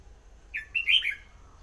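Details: Red-whiskered bulbul singing a brief phrase: a clear whistled note followed by a rapid, rich warbled flourish lasting under a second, with a faint low hum behind.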